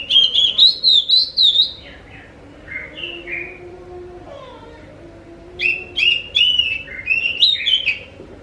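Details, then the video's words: Lure song of the Oriental magpie-robin (kacer) to make others answer: rapid looping whistles, a pause with a few lower slurred notes, then another lively run of whistled and clicking phrases. "Pancing burung Kacer anda dengan suara burung ini"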